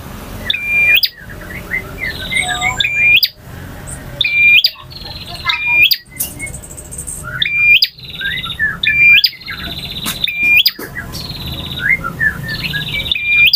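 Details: Long varied song of a male bar-winged prinia, styles ngotot, ngalun, variasi and kristal: rapid sequences of high, sharp trills and upturned whistles, delivered roughly forty times a minute, with faint chirps in between.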